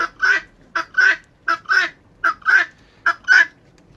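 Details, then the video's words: Urban-kept guinea fowl chatter at their normal loudest, which is softer than their alarm call. Harsh, grating calls come in pairs, a short note then a longer one. The pairs repeat about every three-quarters of a second. "So I won't deny, guinea fowl are chatty, but that really, what you just heard, is the loudest they're going to get normally."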